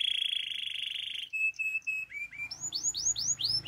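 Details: Russian canary singing: a sustained buzzy roll, a few short clipped whistles, then a row of arching, upward-then-down swooping notes getting louder.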